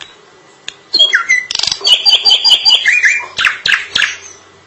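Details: Drongo singing continuously: a rich medley of whistled and grating notes, including a steady series of clear repeated tones, ending in several harsh, descending calls.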